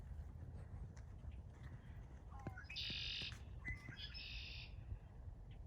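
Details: Male Red-winged Blackbirds in a spring wetland in April, calling to invite females to nest and lay eggs; two harsh buzzy trills, each opened by short rising whistled notes, over steady low wind rumble.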